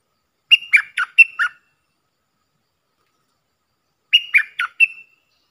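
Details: Puff-throated bulbul decoy call used to train young hand-reared birds: two bursts of four or five sharp, bright chirping notes about three seconds apart, each note sliding downward, on a silent background.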